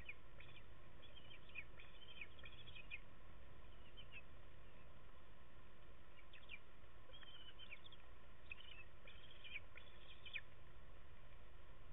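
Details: Bald eaglets calling to each other from their nest in the rain, filmed by a nest camera on 11 May 2016: thin, high chirps and cheeps in short, scattered bursts over a steady rush of rainfall.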